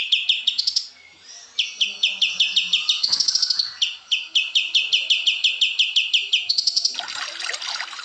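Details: Lively gacor song of a kapas tembak white-eye, with steady sharp chirps about three per second and occasional higher flourishes. A burst of broad hissing noise comes near the end.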